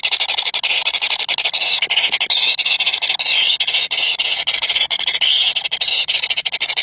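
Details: Begging from three very hungry baby birds: a loud, high, wavering squeal with quick pulsing and a few brighter rising notes.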